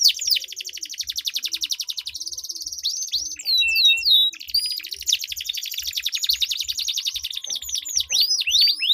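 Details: Long unbroken canary roll from a singing duel, used to get reluctant canaries singing: a dense, even, very fast trill held for seconds, interrupted by a short burst of sharp varied notes.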